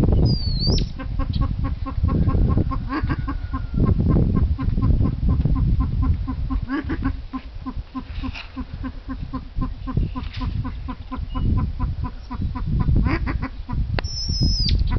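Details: Male Silver pheasant (Lophura nycthemera), a kept bird: a fast, steady run of clucking chatter, about three notes a second, with thin high whistles at the start and end over a heavy low rumble.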